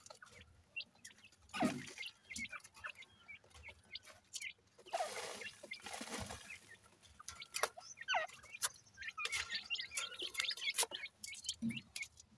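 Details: Partridge chicks at morning feeding time give short, high cheeps and peeps, scattered irregularly, with clucking notes amid frequent clattering and rustling noises.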